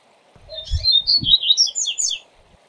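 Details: Double-collared seedeater tutor song of the Viu Viu Zel Zel Zel style, used for training young birds: a quick warbled phrase of bright twisting whistles, with a few low thumps underneath.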